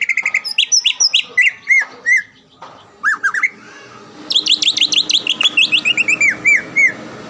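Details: Greater green leafbird kept in a cage and recorded to train other birds; a frequent contest winner around Palembang. Loud, fast song of clear whistles, rising slurs and dense trilled bursts, separated by short pauses.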